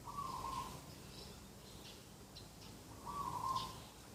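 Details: Morning dove calls beside a garden, recorded 2 October 2021: two even, trilled coo notes near the start and end, roughly three seconds apart, over quiet background noise with faint distant chirps.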